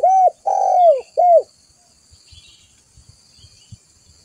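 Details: Lure call of a spotted dove, used to bring other doves near: three strong arched coos in quick succession, the middle one drawn out, followed by near silence with faint low taps.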